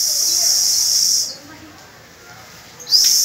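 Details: Canary from a May 1 practice session with young pupil birds: a loud, steady, high rolling trill that stops abruptly, a brief pause, then the trill starts again.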